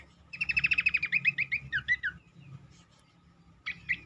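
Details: A shortwing (cingcoang), used as a lure to make other cingcoang sing more, gives a fast run of about a dozen clear, bright whistled notes that slows into a few slurred phrases; two short notes follow after a pause.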